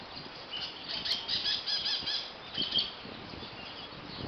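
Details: Many small colony-living birds chirp loudly together, a busy overlapping chatter of high, squeaky notes with no steady rhythm.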